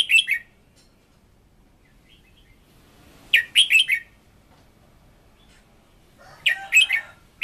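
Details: Decoy red-whiskered bulbul in full, fiery voice-training song. Short bright warbled phrases of three or four rapid notes recur about every three seconds, with quiet pauses between them.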